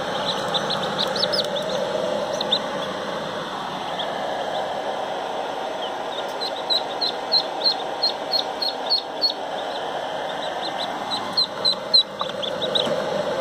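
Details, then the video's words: High thin peeps from a Pekin duckling emerging from the egg, sparse at first, then a quick run of repeated notes, all over a constant humming background. "Marrequinho de Pequim saindo do ovo, pulando da casca."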